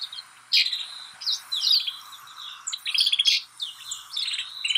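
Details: Snow buntings chattering in Kananaskis, Alberta, Canada, a busy mix of rolling buzzy rattles and short sharp chips from several birds in quick succession.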